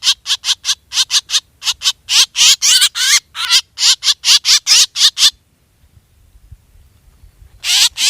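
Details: Black drongo calling, a sound used as a hunting lure: quick harsh chattering notes for five seconds, a near-silent gap of about two seconds, then the raspy notes start again.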